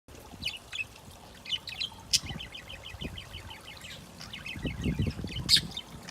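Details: A very energetic male budgerigar, almost ready to mate and showing courtship moves, warbles in a fast, chattering stream of high chirps and sharp clicks.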